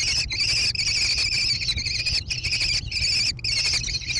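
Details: American kestrel chicks in a gravel-bottomed barn nest box in Wisconsin, USA, 14 June 2022. Repeated high, vibrating trills of roughly half a second to a second each follow one another closely above a steady low hum.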